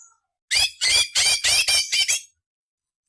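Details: Cucak cungkok rasping 'nyerecet kasar' fill for tutoring shama, leafbird and magpie-robin: six or seven rapid harsh, scratchy squawks in a tight burst lasting under two seconds, then silence.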